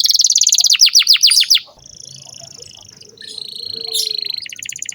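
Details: Canary song used as tutor audio for young canaries: a quick run of bright, downward-sweeping whistled notes, then quieter sustained trills and a long steady high note.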